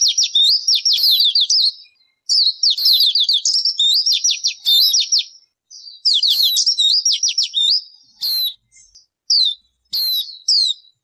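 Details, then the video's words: Long bursts of energetic bird song: rapid trains of high, sliding repeated notes, each phrase punctuated by a piercing downslurred whistle, the final phrases shorter and more spaced. "Suab noog ncwb qua dib tuaj zoo tiag tiag."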